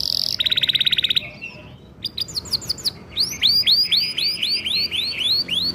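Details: Canary singing: a short high note, a fast rattling trill, scattered chips, then a long series of rising-falling whistled notes repeated rapidly.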